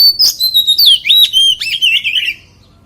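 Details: Loud, continuous warbling phrase from a white-rumped shama singing in wild-voice style, with clear whistled notes sliding up and down and gradually falling in pitch before fading out.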